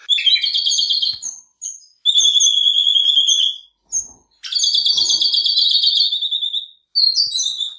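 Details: Pet red-rumped parrot singing bright, high, rapid twittering warbles with pleasant trilled notes, in three bursts of about two seconds each.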